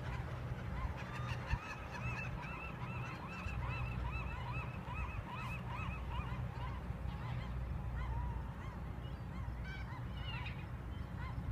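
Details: Flocking marbled godwits in flight at Westport on a fall day, giving many rapid, slurred, upslurred-then-dropping nasal calls in dense overlapping bursts, thinning toward the end, with constant low background roar.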